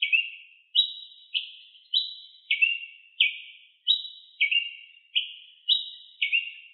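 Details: Wild ruby-crowned tanager in full song: a long steady series of about twelve clipped chirps, each fading quickly, switching between a higher and a slightly lower pitch, in quiet surroundings.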